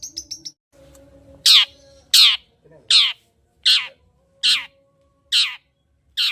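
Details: Long-tailed shrike sound used to excite a shrike that will not sing: a few quick high ticks followed by loud, harsh, rasping squawks repeated a bit more than once a second.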